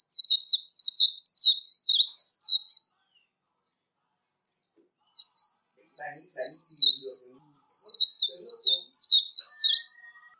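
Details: Warbling white-eye singing a competition song for voice training: three high, rapid warbled bursts of repeated downslurred notes separated by short silences, with faint low chatter, perhaps human voices, in the background.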